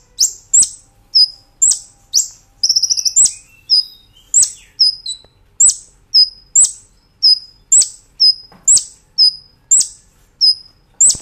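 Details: Brown-throated sunbird song used as a master recording for training cage birds: high thin notes alternating with sharp downward-swept chips, repeated steadily, with a brief fast trill near the start.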